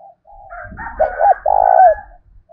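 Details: Spotted dove used as a lure, its cooing meant to make other doves call back. A soft lead-in note, then two loud, hollow coos with a slight downward slur, over faint low rumbling.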